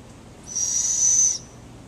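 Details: Female barred owl in a keeper's enclosure giving a begging call: one raspy, hissing screech, high and sustained for nearly a second, rising slightly in loudness before stopping sharply, with faint room noise around it.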